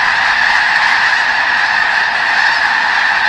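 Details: A massed flock of snow geese, many thousands strong, at McNary National Wildlife Refuge near Burbank, Washington: loud continuous yelping and honking, countless voices overlapping into a bright, unbroken din.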